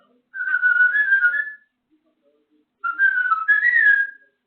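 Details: Pet African grey parrot whistling the Andy Griffith theme tune: two melodic whistled phrases, each about a second long with wavering, stepping pitch, a short gap between them.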